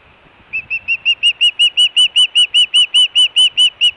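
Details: Hellgate osprey pair at the nest, Montana, summer 2017, with food and alert calls: after brief quiet, soft whistles build quickly into a loud, rapid string of sharp cheeps, around three per second.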